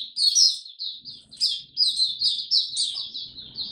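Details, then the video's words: Caged white-eye kept as a hobby songbird in Singapore, recorded 31 July 2023 as it finally resumes singing: rapid high twittering phrases, bright warbled notes tumbling one into the next with brief gaps, faint low room noise beneath. "Singapore Mata Puteh Buka Sing"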